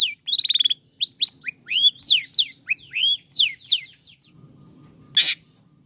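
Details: Long-tailed shrike song for provoking other shrikes: a rapid ticking rattle, then a series of varied sweeping whistled notes, closing with one harsh burst over a low hum.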